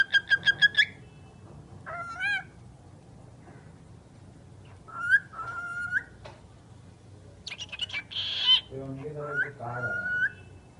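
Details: A talking bird opens with a quick string of clipped notes, then produces scattered whistles, a breathy noisy burst and lower throaty speech-like sounds toward the end.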